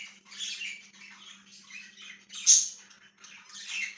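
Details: Pet budgerigar chirping, dated 1/6/2023: scratchy broadband chatter in several bursts, with a sharper squeaky note near the middle, over a steady low electrical hum.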